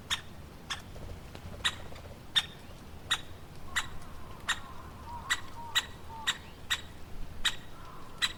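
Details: Woodpecker calling, sharp short notes with harmonics repeated at irregular intervals of roughly half a second to a second, about fifteen calls, over low background hum and faint other bird sounds.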